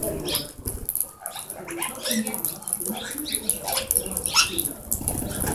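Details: Plum-headed parakeets filmed on a hidden camera at Shambhuwala, Nahan, Himachal Pradesh, India, give shrill, squeaky chirps in quick, uneven bursts over steady rustling and scratching.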